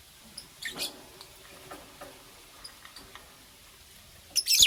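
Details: Green Fischer's and pastel blue lovebirds chirping in the morning: a couple of thin high chirps early, scattered faint ticks, then a loud, harsh, shrill burst of rapid chirping at the very end.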